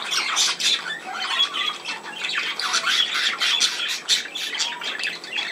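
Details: Dense budgerigar chatter, 17 November 2024: quick harsh squawks repeat several times a second, interspersed with brief warbled and downslurred whistles, continuous for over five seconds.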